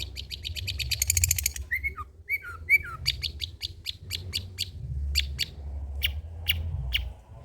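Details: Old-style song of a long-tailed shrike meant for lure and tutor recordings: a fast trill, three slurred whistled notes, then spaced sharp ticks over a low rumbling background.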